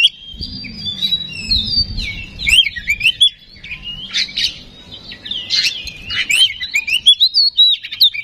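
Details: Oriental magpie-robin song used as a lure to make other magpie-robins aggressive and sing: a rich run of high whistles, sweeping slurred notes and scratchy chatter, with a low rumbling hum underneath for the first three seconds.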